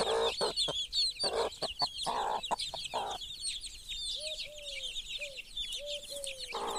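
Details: Mother hen among her chicks, clucking in a quick, irregular run of rough low notes for three seconds. Then come several short, clear, falling tonal notes, with a continuous high twittering of chicks throughout.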